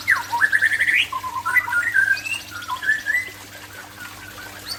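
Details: Song of an Aceh white-rumped shama: a fast run of rising whistled notes, then mellow slurred phrases and short twitters, varied and continuous, with a low background hum.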